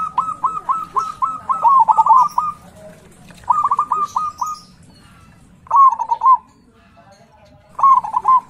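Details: Local zebra dove with a big, loud voice, kept as a lure to provoke rival birds: clear, stuttering coo phrases, rapid trilled notes followed by rolling warbled endings, repeated four times with short pauses.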